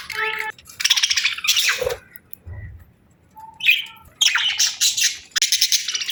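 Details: Pet parakeets give bursts of harsh, buzzy chirps and chatter, with quiet pauses and a few clear short tones between the noisy outbursts.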